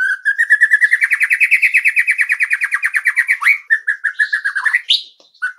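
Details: White-rumped shama master song for encouraging other birds to sing: a long, rapid, steady trill that slowly rises in pitch for over three seconds, followed by a shorter run of repeated notes and a brief upward sweep.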